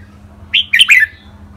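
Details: A short phrase from a caged red-whiskered bulbul in a Thai contest-style singing match: one clear rising whistle followed by two quick, bubbly, downward-slurred notes, with faint hum underneath.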